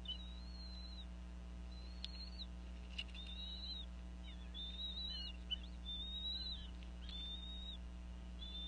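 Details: Female bald eagle at a nest in Northeast Florida, calling over a fish while she and her mate feed the eaglets around 4:40 pm; thin, high whistled notes come in uneven bursts, with a steady low hum beneath.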